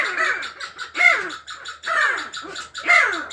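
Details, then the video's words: Sandgrouse that have begun choosing mates give harsh, rasping calls, each a short descending burr, repeated roughly once a second. "Bağırtlaklarımız eş seçmeye başladı."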